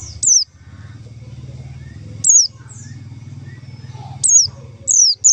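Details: White-eye calling, used as a lure to draw in white-eyes: short piercing whistles that drop quickly in pitch, singly and then as a pair near the end, over a steady low hum.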